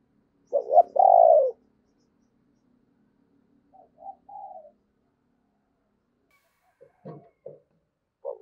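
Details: Spotted dove used as a decoy to attract others gives one loud, low hollow coo phrase, followed by soft, faint cooing and scattered quiet knocks.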